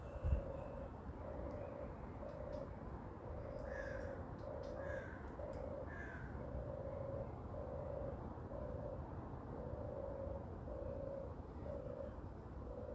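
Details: European turtle dove on the ground early on 29 May 2023, 6:34; a long series of about a dozen low, throaty purrs at steady rhythm, while another bird gives three descending notes midway.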